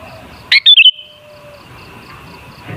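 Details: Sooty-headed bulbul singing a lure phrase to set bulbuls singing: a single quick bubbly burst of four whistled notes, clear and sliding, then near silence with a thin steady tone.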